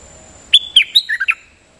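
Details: Nok dok taeng decoy song: a crisp burst of roughly six clear whistled notes, starting high and falling, with a short steady tone linking the first notes, in a quiet setting.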